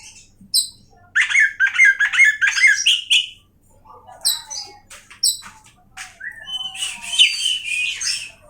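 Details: Oriental magpie-robin singing a varied, loud song: short high whistles, then a burst of rapid chattering notes, scattered sharp calls, and a dense warbling phrase at the end. Brief quiet gaps between phrases.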